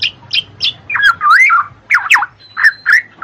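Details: Black-naped oriole, used to coax birds that are slow to sing: rich, fluty whistles that slide up and down, broken up by short sharp chirps and squawks from other birds.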